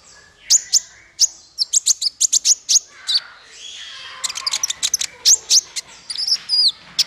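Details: Konin male song meant as tutoring material for songbirds: quick bursts of high sharp chirps in clusters, ending with a couple of clear rising-and-falling whistles.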